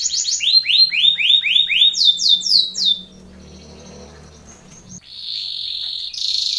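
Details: Training song for contest canaries, sung by a Belgian canary: a rapid run of down-swept whistles repeated about four per second, a quiet gap, then a high sustained trill returns.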